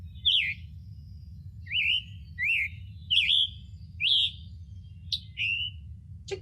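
Scarlet Tanager singing about seven hoarse, burry, robin-like phrases spaced under a second apart, over a low steady hum and ending in a sharp click.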